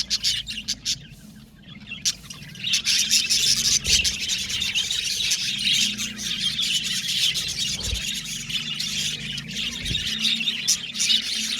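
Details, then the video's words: Aviary budgerigars, a happy colony, start with a few sparse chirps, then after two seconds burst into a loud, thick chorus of high twittering, chattering and squeaky warbles, with occasional soft thumps. "Happy Budgies Chirping Sound"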